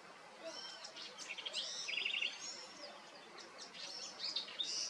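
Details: At a nest in Serra da Cantareira, São Paulo city, Brazil, August 2023, a White-spotted woodpecker gives high squeaky chirps and a short rapid stuttering burst near mid-clip, with several other sharp notes around it against a constant forest hiss.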